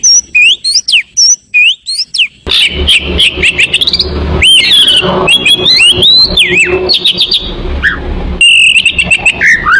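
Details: Oriental magpie-robin song played as a lure to attract birds: looping whistled notes, then dense chattering phrases over loud low rumbling noise, ending with descending whistled slurs.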